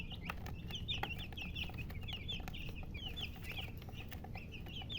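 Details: Chickens, called murgi hen and described as color chicken, make a dense stream of short, high, upward-flicking chirps that overlap almost continuously. A low, steady rumble of background noise runs beneath.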